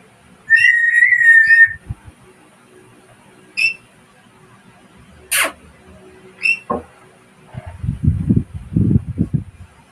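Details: A talking African grey parrot calling for a lory bird gives a long, steady, wavering whistle, then a few short whistled notes and a sharp burst, with low rumbling and handling sounds at the end.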